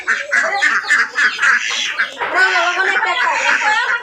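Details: Ducks coming home in a village quack in quick, nasal bursts, about four a second, then break into a jumbled, overlapping chatter of several birds.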